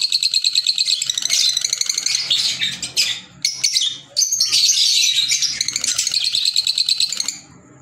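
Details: Loud, nearly unbroken chatter from green Fischer's lovebirds: rapid shrill squeaks and twittering notes crowd together, broken by two short gaps before the piercing chorus resumes and then fades.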